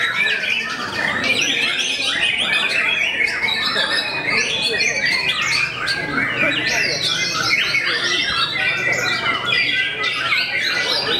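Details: White-rumped shama, reputed to make competitors lose their nerve, sings loud and without a break, alternating quick chattering bursts with clear upward- and downward-swept whistles.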